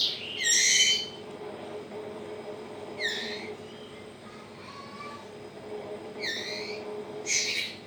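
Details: A 20-day-old captive-bred white-rumped shama chick begs during hand-feeding. There are four or five loud, rasping, slightly falling squeals, with quieter gaps and a faint thin whistle between them, over a constant low background hum.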